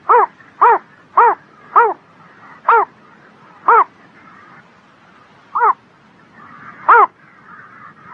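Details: A bird on a spring morning opens with a quick burst of arched, harmonic notes about half a second apart, then slows to sparser single notes, with low twittering in the background.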